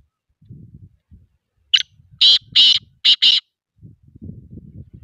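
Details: Black pheasant calling with a brief opening note followed by four loud, harsh, broadband bursts in quick succession, between low rumbling background noise.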